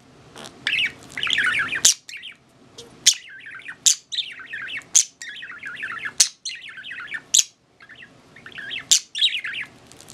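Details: An aged pet budgerigar keeps up a busy, twittering warble of rapid chirps and squeaky notes, broken every second or so by sharp click-like accents and brief silences.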